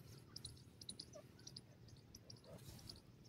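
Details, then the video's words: Partridge chicks, labelled as Japanese quail (japani teetar), playing in a forest give thin, high, scattered and irregular peeps, several close together, over a steady low rumble of background noise. "japani teetar ki awaz"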